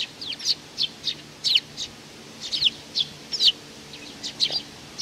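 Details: Short high chirps from a young sparrow, given in uneven bursts of one or two notes with brief pauses between them, background otherwise quiet.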